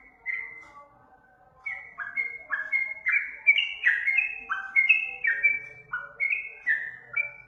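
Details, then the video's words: Lure song of a sooty-headed bulbul opening with a single whistled note, then after a pause a lively run of rising, clear whistles; a faint low hum in the background. "Suara pancingan trucukan"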